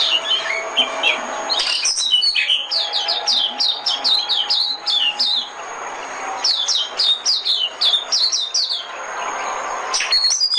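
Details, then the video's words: Trapping-decoy white-eye song: long, busy runs of high, descending chirps in dense twittering phrases, broken by short pauses, over faint background noise. "Tiếng chim mồi - Tiếng chim khuyên mồi hay nhất 2017"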